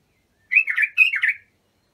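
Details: Bulbul song of the Abu Shuaib style, played for training young bulbuls: two joined liquid phrases, each a high whistle dropping into a warble, together lasting about one second.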